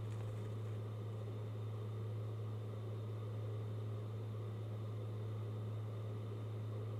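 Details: Loud, constant low electrical hum over even background noise, with no animal calls.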